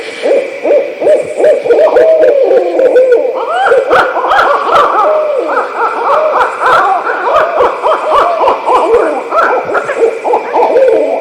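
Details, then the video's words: Barred Owls at night in a wild chorus: low, resonant hooting that dissolves into cackling, wailing, monkey-like squawks from several birds, with a steady insect hum behind; such calls can startle campers. "So that was the barred owl."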